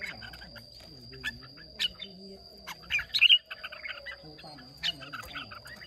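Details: A Red-whiskered bulbul sings in a contest in Hòa Bình, Vietnam, on 30 May 2023. Scattered sharp chirps build to a loud burst of whistled notes. A low background murmur and a steady high tone are also heard.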